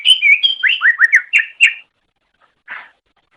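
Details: Masteran recording of a greater green leafbird for tutoring caged songbirds: a quick run of clear slurred whistles, each dropping and rising, lasting under two seconds, followed by silence and one soft rasp.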